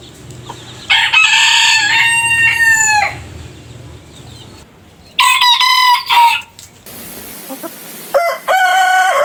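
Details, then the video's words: Crowing roosters in a compilation showcasing each bird's unique crow: three separate loud, raspy crows, the first long and sustained, the second shorter with a broken ending, the last beginning near the end after a hissy gap. "Rooster Crowing - Rooster Sound Effect - Gà Gáy - Gà Trống - Tiếng Gà Gáy - Con Gà Gáy"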